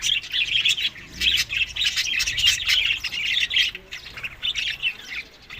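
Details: Budgerigars eating summer food in May to June in Larkana, Sindh, giving a dense, continuous chatter of high chirps and squawky notes that swells and dips in short waves.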